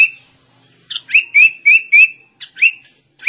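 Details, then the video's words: Sooty-headed bulbul song in white-rumped shama style: a soft opening whistle, then a connected chain of bright whistled notes that rise and dip, with brief pauses between short phrases. "Kutilang Rasa Murai Batu"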